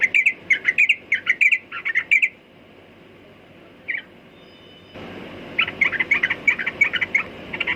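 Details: Sooty-headed bulbul chattering in quick bursts, then a pause with a single short call. A louder stretch of fast chirping follows over stronger background noise.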